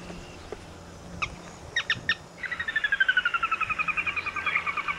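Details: Sora call: after a few scattered clicks, a fast, steady run of bright whistled notes about four per second, slowly descending in pitch, with a low background hum.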